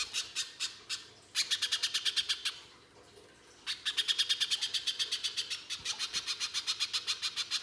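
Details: [6, 'Little spiderhunter song played to make spiderhunters sing: bursts of rapid high, sharp chips separated by two quiet gaps, the notes speeding into dense runs.']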